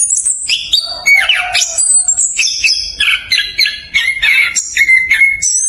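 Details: Rolling song of an Orange-headed thrush, fast and dense, meant to prompt lazy thrushes to sing: a rich run of varied whistled notes, some dropping low and buzzy, others clear and ringing, in quick succession.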